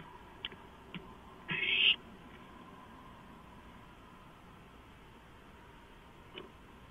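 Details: One harsh breathy screech, under half a second, from owlets with beaks and talons on a freshly delivered large rodent, 23 March 2015, amid light clicks and rustles.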